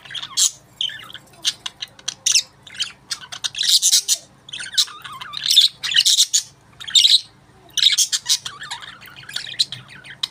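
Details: Budgerigars chatter in the morning with rapid, high chirps, squawks and scratchy warbles in busy bursts.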